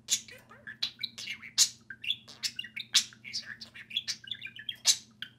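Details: A pair of pet parakeets, budgerigars, chatter continuously during play with dense overlapping chirps, squeaks and warbled phrases, a low electrical hum in the background.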